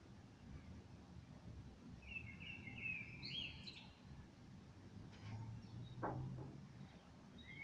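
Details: Evening song of a common blackbird, a short mellow warbled phrase rising into a brief twitter, against constant low background noise with a few sharp clicks.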